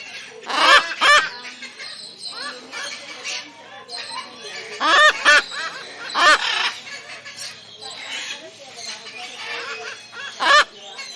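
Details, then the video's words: Cockatoo giving loud, harsh screeches in short bursts, spaced irregularly and sometimes paired, over a constant background of chattering and squeaking bird voices. "Cockatoo Sound (parrot species) | Cockatoo singing Sounds"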